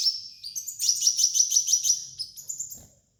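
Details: Sunbird of the kind called kolibri ninja, used as a master song for training: a rapid, very high twittering run of sharp chirps at about three per second, thin and bright, fading out after three seconds with a faint low hum beneath.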